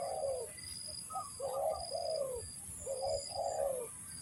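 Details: Tekukur, or spotted dove, used in decoy trapping, giving mellow hollow coos grouped in short bursts with brief pauses, over a constant high-pitched pulsing drone.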